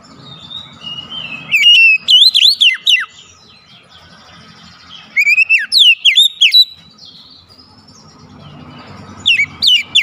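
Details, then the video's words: Lure recording of oriental magpie-robin song meant to prompt a silent bird to sing: three bursts of bright, rapidly sweeping whistled notes with short pauses, over a low steady hum. "PANCING KACER MALAS BUNYI"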